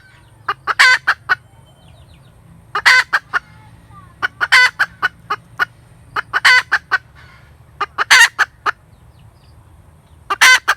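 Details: Hen chicken cackles in bursts every couple of seconds. Each burst mixes short clucks with a rough, prolonged note over a low steady hum.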